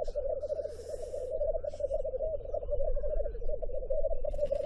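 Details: Black grouse giving a steady, rapid, bubbling rookooing of low dove-like pulses without pause, while brief hissing sounds and other faint calls appear above it, over a low rumble.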